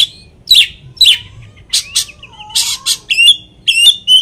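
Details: Lure song of an Oriental magpie-robin, used to provoke a rival: scattered sharp chips, a long gliding whistle that dips low, then rasping bursts and warbled high whistles with rapid fluttering overtones.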